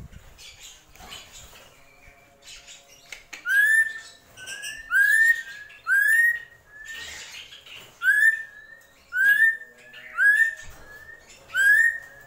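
A drongo gives loud, clear rising whistles, each with a buzzy edge, repeated about once a second after softer chattering notes. A faint low hum runs underneath.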